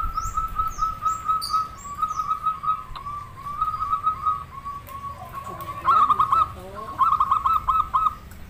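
A zebra dove sings a run of soft, rapid cooing notes, stuttering and trilled, repeated in phrases.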